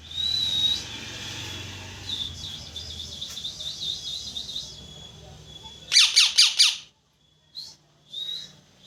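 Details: Parrot chirping with long, fluttering high warbles over faint low background noise, then a burst of five loud harsh squawks and a few short chirps.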